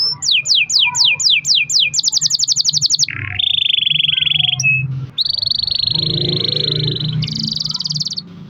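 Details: Long-rolling canary song meant to lure other canaries into singing: repeated downslurred whistles, a rapid high rattle, then long even trills at different pitches, with a faint low hum beneath.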